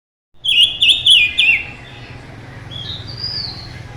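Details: Mutant silver-eared mesia singing intensely: a quick phrase of four slurred, wavering whistled notes at an even pace, followed by fainter, thinner high whistles and steady low background hum.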